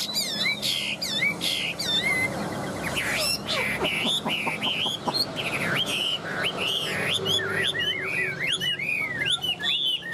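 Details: Tame Chinese hwamei, yellow in bill and legs, pours out a long rich medley of rising and falling whistles, trills and sharp ticking notes in a continuous stream.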